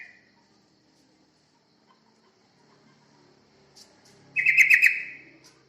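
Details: Yellow-vented bulbul recording used as a lure to draw other birds. After about four quiet seconds, one bright chattering burst near the end lasts about a second and fades. A faint earlier note opens the recording.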